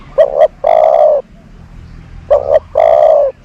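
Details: Mellow cooing from a decoy dove used to attract doves, two phrases each made of a quick double note and a held, even coo lasting about half a second.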